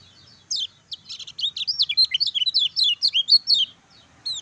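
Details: Lively 'ciak ciak jos' song of a caged Lemon-bellied white-eye, meant to excite other birds into song. Over three seconds of rapid, high, zigzagging chirps, many falling in pitch, with a last lone note after a pause.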